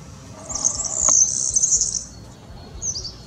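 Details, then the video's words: A European serin, a yellow streaked bird repeating a metallic melody, sings a very high, fast, jingling, buzzy twitter for about one and a half seconds, then a brief tinkling fragment, over a faint low rumble. "Chants d'oiseaux : le SERIN CINI (serinus serinus / european serin)"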